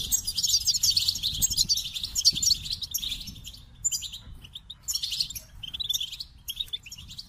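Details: Goldfinch song, a rapid jumble of tinkling twitters and trills, loud at first, then broken into shorter bursts separated by brief pauses.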